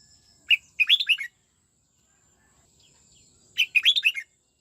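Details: Two crisp phrases from a red-whiskered bulbul under '89 xoắn tít' song training, each opening with a single whistle then a fast run of sweet, twisting notes, about three seconds apart.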